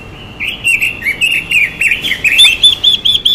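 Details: Female Chinese hwamei sings a rapid, slurred warbling phrase that turns into a string of clear, evenly spaced whistled notes, a training song used to spur males on.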